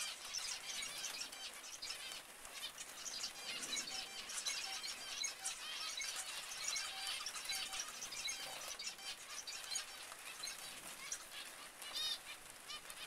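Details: Zebra finches, a dense chorus of many birds calling at once, high overlapping nasal chirps and squeaks crowding together without pause throughout.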